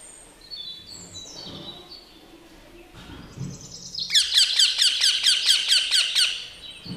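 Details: Baby green parrot gives a fast run of harsh, rasping screeches, about four a second, after a few faint, thin, falling whistles; parrot.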